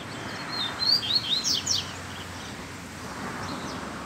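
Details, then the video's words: Rusty-collared seedeater singing out in the bush, a short burst of clear whistled notes and quick descending slurs near the start, then faint background noise. "Coleiro Braddock Solta o Canto no Mato!!!"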